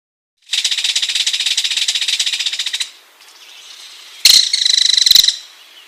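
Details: Ringed kingfisher giving a long, dry, rapid rattle of harsh clicking notes for over two seconds, then a quiet pause before a second loud burst of rattling ends the recording.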